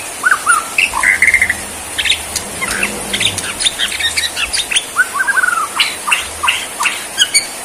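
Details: White-rumped shama, Borneo type, singing during a bowing 'sujud' performance: clear slurred whistles, a chattering phrase, sharp clicks and varied notes, then a descending whistled series near the end.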